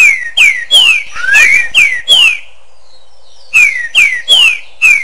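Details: Echoing green-winged saltator song: a six-note phrase of falling whistles with one crossing up-and-down slur, a pause, then four more descending whistles.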